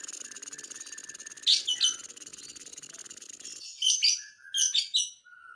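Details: Lovebird song meant to provoke other lovebirds: a long buzzy rattling trill with sharp high chirps breaking through, then bursts of squeaky chirps and short whistled notes after the trill stops.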